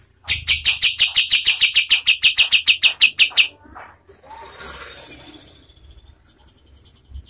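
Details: White-shouldered triller recorded for tutoring competition songbirds, giving a fast string of about seventeen harsh, rattling notes in under four seconds, then stopping; soft hiss and faint rustling follow.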